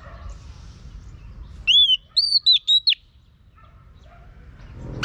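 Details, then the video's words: Female Oriental magpie-robin whistling to train a male: five short, clear arched whistles in quick succession near the middle, otherwise quiet with faint low background noise. "chòe than mái HUÝT KÈM THÚC TRỐNG.chòe than mái kích trống căng lửa.chim chích chòe than mái hót"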